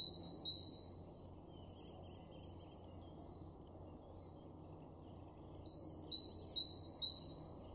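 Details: Great tit (Parus major) in a garden in Weener, East Frisia, northwest Germany, in April 2023, giving bright, high two-note phrases in quick bursts, with thin whistles from other birds and a steady low rumble behind.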